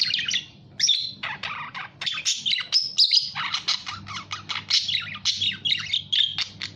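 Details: Budgerigar chattering with mixed squawks, chirps and occasional thin whistles in a lively, continuous warble.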